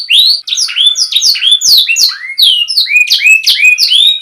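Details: Non-dominant canary tutor song for juvenile or non-singing canaries: lively sweeping whistles and sharp chirps, some falling, some curving upward, delivered in fast overlapping phrases.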